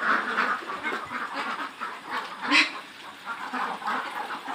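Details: A flock of about 400 Khaki Campbell ducks, over 110 days old, at a farm in Muktagacha, Mymensingh, quacks together in dense, continuous overlapping nasal calls, with one louder quack near the end.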